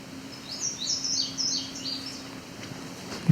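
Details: Male Indigo Bunting song, 17 July 2019 near Cape Chin North, Ontario, in edge habitat by fields, a second male nearby: a quick run of high, thin, downward-slurred notes under two seconds over low hum.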